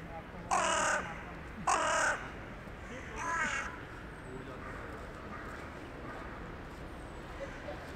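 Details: Evening calls of a town-centre crow, 23 January 2021, communicating with crows arriving for the night: two loud, harsh caws about a second apart, then a softer third caw, with steady low hum behind.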